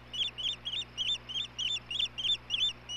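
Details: Osprey pair at the Hellgate nest in Montana, 17 May 2016, as the male delivers dinner to the female: rapid, insistent high chirped whistles, each a short upslurred note, about three per second over a faint electrical hum.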